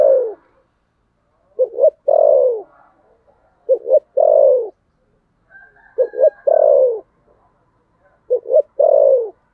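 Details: Spotted dove giving the Vietnamese fighting coo called thổ sấm gù: four phrases about two seconds apart, each two short rising notes followed by a long, smooth, falling coo, with a faint higher tone between phrases.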